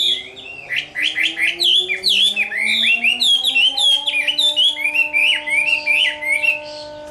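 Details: Summer midday fighting song by a caged Chinese hwamei, with quick, evenly pulsed whistled notes in a busy cascade over a steady low electronic hum that slowly rises.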